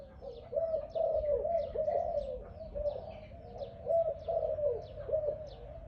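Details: Loud Malay dove offered for sale giving a sequence of throaty, bubbling coos in evenly spaced bursts, with thin, sharp chirps of other birds scattered above.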